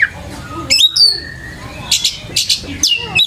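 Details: Oriental magpie-robin song played as a lure to teach young magpie-robins to sing: varied clear whistles, sharp rising chirps and short buzzy bursts, with brief pauses between phrases.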